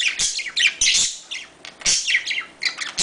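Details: Budgerigars calling in a sound meant to bring budgies into breeding condition: harsh scratchy screeches mixed with quick chirping twitters, in short loud bursts with a quieter gap midway.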